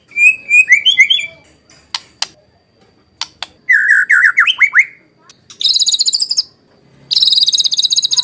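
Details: White-rumped shama singing on a lure recording meant to make other shamas answer and to tutor them: whistled phrases, scattered sharp clicks, a run of warbled notes, then two high rapid rattling trills.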